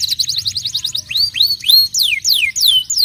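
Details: Canary song to trigger singing in other canaries: a fast stuttering trill giving way to loud, clear swooping whistles, some rising and some falling, repeated about three times a second.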